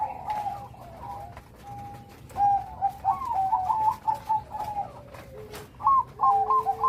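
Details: Bangkok perkutut, a zebra dove singing with a loud, complete rhythm: a long even coo, then bouncing trilled notes stepping up and down in quick groups, a deeper held tone underneath and scattered sharp clicks around.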